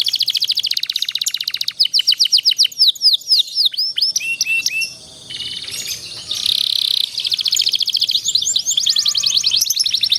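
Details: Rolling canary song used as a master for young canaries: rapid trills, then a string of looping whistled notes, a short quiet gap, and a sustained buzzy tone before the trills return.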